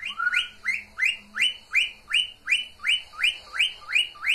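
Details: Mating call of a cockatiel, a rhythmic run of upward-sweeping whistled notes repeated nearly three times per second, evenly spaced and loud.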